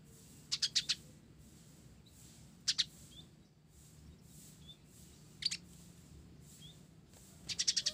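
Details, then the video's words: Olive-backed sunbird, 'blorok' variety, singing with sparrow-type filler: short, widely spaced bursts of two to four piercing high chirps, with quiet gaps and steady low background noise. "Kolibri Ninja Blorok Gacor isian Gereja"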